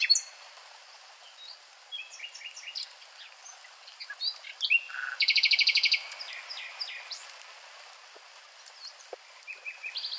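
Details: Varied nightingale song: assorted whistles, chips and short slurs, then a loud, harsh buzzing rattle of fast repeated pulses lasting under a second, followed by quieter broken notes and a final high trill.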